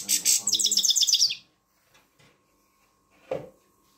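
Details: Grey-crowned goldfinch song played to motivate young birds to sing: a brief burst of rapid, tinkling high twitters lasting just over a second, then near silence with a faint click and a soft thud.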